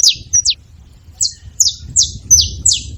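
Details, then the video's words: Wild saffron finches calling at a feeding place: a few high, sharp, descending chirps, a pause of under a second, then a quicker run of similar notes over low rumble. "Canarinhos da terra livre na seva fazendo barulho"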